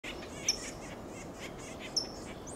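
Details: A California towhee foraging on the ground in Del Monte Forest, California, gives two sharp, high, metallic "tsip" calls about a second and a half apart, over steady background hiss and faint distant chirping.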